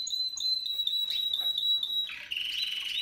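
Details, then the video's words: Spanish Timbrado canary from a 2017 breeding line sings a long, steady, pure whistled note, then shifts into a fast, buzzy lower trill for the last second. "Timbrado español original 2017"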